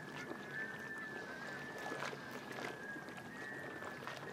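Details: Courting Black Scoters on Shediac Bay, New Brunswick, mid-April 2014, migrating toward northern nesting areas: a flock gives overlapping, drawn-out, mournful whistles at a steady mid pitch. Soft crackles and water and wind noise run underneath.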